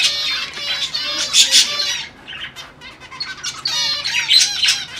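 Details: Zebra finches during mating attempts give loud, close, nasal trumpet-like calls in quick bursts. Clusters of harmonic notes are broken by a brief quieter gap of softer chirps, then resume strongly.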